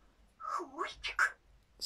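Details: A pet grey parrot in a quiet room, talking, begs for an apple: a brief speech-like phrase, a swooping rising-and-falling syllable, then two quick clipped notes and a final hiss; finding: Grey parrot.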